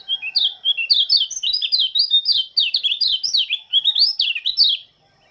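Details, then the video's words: Lombok Oriental white-eye singing in the morning. A continuous, fast stream of high, bright, slurred twitters, each note sliding up and down, runs unbroken for about five seconds and then stops abruptly. "Kicauan burung pleci lombok sang penyambut embun pagi"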